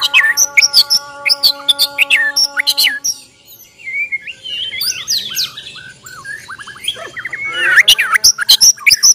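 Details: Bornean white-rumped shama giving its fighting song as a challenge. Sharp, loud clicking chips repeat rapidly at first over a steady droning hum. Then comes a quieter run of varied whistled and slurred phrases, and the bursts of chips return at the end.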